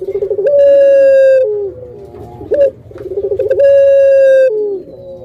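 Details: Barbary dove kept as a hobby pet bird, singing the pelung style of coo: a quick stuttering trill rolls into a long, steady, slightly falling hooting note, ending with a lower drop; the phrase is heard twice, with a short bright rising note between.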